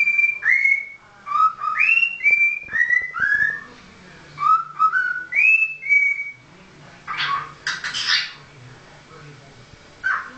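A cockatiel whistles a familiar tune, clear slurred notes rising and falling in a melody.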